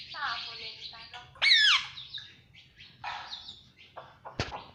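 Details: Pet Indian ringneck parakeet chirping, with a loud, harsh, rising-then-falling screech in the middle, surrounded by softer scratchy chirps and a sharp click near the end.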